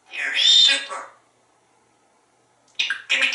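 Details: African Grey Parrot living as a talkative pet in a Texas home, giving a short speech-like phrase, then a pause, then two quick clipped syllables, indoors.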